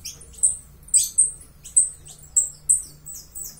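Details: Uruguayan saffron finch, a master singer, giving a string of high, sharp chirps, about eight in under four seconds at an uneven pace, over a faint low hum.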